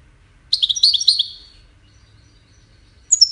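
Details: Goldfinch singing a courtship and communication song: a short, jumbled burst of rapid twittering, chirpy notes lasting about a second. After a pause a new phrase begins with a high, clear, downslurred note.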